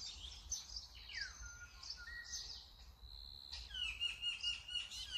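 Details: Brown-eared bulbul calling: downward-sliding whistled notes and level tones, then a bright, ringing, rapidly repeated phrase, over a backdrop of thin high chirps and low rumbling noise.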